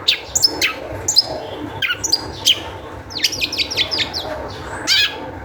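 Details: Long-tailed shrike singing in high spirits as a lure for other shrikes; scattered squeaky whistles at first, then a fast, jumbled burst of sharp chirps, followed by more high notes.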